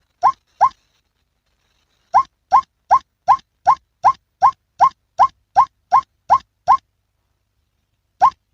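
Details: Male white-breasted waterhen giving its hunting call: two croaking notes, a pause, then a long, evenly spaced run of about a dozen rising, kinked croaks, ending with one last note after a silence.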